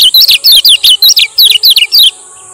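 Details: Rapid string of about eleven shrill, falling chirps lasting two seconds, from a male lemon-bellied white-eye of Lombok, a 'ciak ciak' song played to lure and train other birds; then silence apart from faint hiss.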